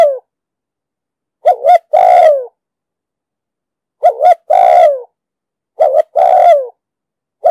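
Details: Urging 'giọng đồng sấm' coo of a spotted dove, used for luring wild doves into traps and training caught birds; four phrases, each a short wavering double note then a long descending coo, with the edges of others at start and end.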